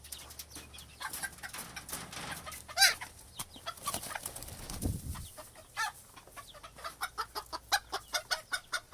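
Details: Coop atmosphere full of chickens: rapid, overlapping clucks and short squawks, one loud squawk near the middle, then a run of evenly spaced clucks toward the end over a low background hum.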